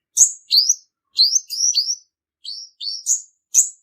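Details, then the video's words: Purple-throated sunbird male lure song used in trapping: sharp, high chip-like attacks each followed by a short rising whistle, in loose clusters with small silences between, clean recording without background sounds. "Tiếng chim hút mật họng tím, tiếng chim đực mồi bẫy chuẩn"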